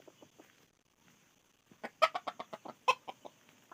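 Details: Red junglefowl clucking: a few soft, spaced notes, then a brisk burst of loud, abrupt clucks in quick succession, tailing off into scattered quieter ones.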